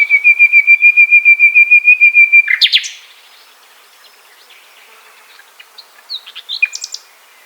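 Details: A common nightingale delivers a rich, loud phrase: a steady, pulsing whistled trill held for over two seconds, ending in a sharp flourish, followed after a pause by quieter chirps and a final rising note.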